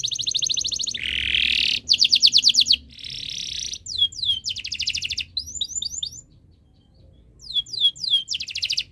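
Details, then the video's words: Canary in breeding condition, song used to make other birds sing: bursts of fast trills and buzzy rolls with gaps, sharp down-slurred chirps in clusters, a short silence, then renewed trilling. "Suara Burung Kenari ini Bikin Burung Lain Ikut Bunyi"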